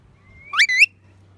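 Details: Parrot giving a single call: a thin, steady whistle that slides into a short, harsh, rising chirp, ending on a bright upward squeak, with a quiet low hum in the background.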